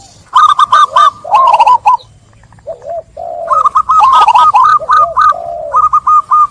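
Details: Zebra dove song serving as a lure to restart cooing in trap-stressed doves: long runs of quick, staccato, bubbling notes, interrupted by brief low purring coos, over a faint low hum.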